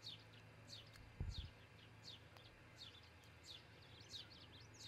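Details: Osprey calling at its nest in Charlo, Montana, early on 22 June 2018 via nest cam: thin, downward-sweeping whistles repeated steadily, one dull low knock early on, hum beneath.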